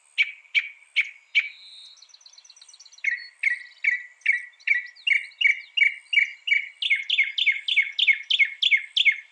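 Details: Northern mockingbird singing: several sharp chirps, a fast buzzy trill, then a long steady series of downslurred notes, about three per second, rising in pitch toward the end.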